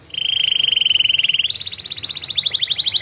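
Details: Canary singing a lively ngedurr-style song, used as a lure to get lazy canaries singing again: a steady buzzy trill of rapid pulses that steps up in pitch halfway through and runs on for three seconds.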